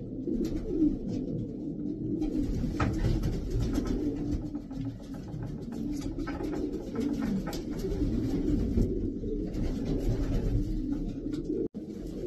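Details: Racing pigeons kept as top racing birds give continuous low burbling coos, many overlapping phrases rising and falling, with scattered clicks and shuffling noises.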